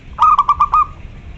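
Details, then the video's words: Local zebra dove singing loudly to summon a rival, a short run of about five rapid mellow cooing pulses on one low pitch, the final note a little longer, then quiet. "Perkutut lokal gacor suara besar || memanggil lawan"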